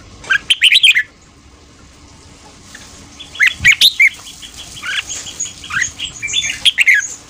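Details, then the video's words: Morning 'ché' song of a red-whiskered bulbul, played to train voices and rouse freshly caught birds; three short, rapid phrases of sharp whistled and chirpy notes, the first at the start and two more later, separated by quiet gaps. "Luyện giọng chào mào hót sáng ché/kích bổi theo giọng nhanh"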